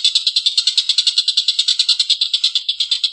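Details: Short burst of a collared kingfisher's rough laughing call: a harsh, buzzy kek note repeated about three times a second in a steady rhythm.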